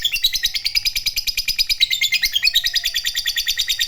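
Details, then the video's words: Long ngekek trilling by a fighter lovebird, meant to spur rival lovebirds on: a dense, fast series of high, scratchy chirps pulsing about three times a second, unbroken from start to finish. "Pancingan Lovebird fighter Ngekek Panjang,Suara Burung Lovebird Gacor Ngekek Panjang"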